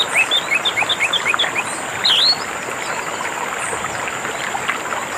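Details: Singing orange-headed thrush, meant as therapy for caged birds that went silent: a quick series of short repeated whistled notes, then a rising slurred whistle, with a steady high whine and background hiss.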